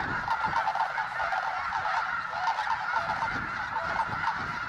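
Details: Enormous snow goose flock, over 20,000 birds, flushed into a flying frenzy at a refuge; a continuous din of honks, some individual yelps standing out in quick repeated notes above the mass.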